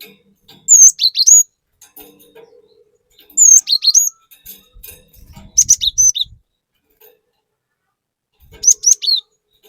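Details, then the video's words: ['Chattering cinereous tit lure song: curling high whistles and sharp doubled notes in brief phrases, four bursts over nearly ten seconds with faint rustling between.'] "Pancingan Burung Glatik Batu Gacor Fariasi Glatik Bahan Auto Emosi || Glatik Batu Gacor Nembak"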